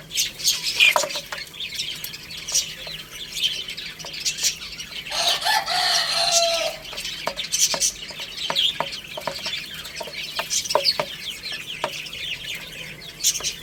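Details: Chicks playing and eating, producing steady high-pitched cheeping and frequent pecking clicks, interrupted near the middle by a long harmonic rooster crow before the busy peeping resumes.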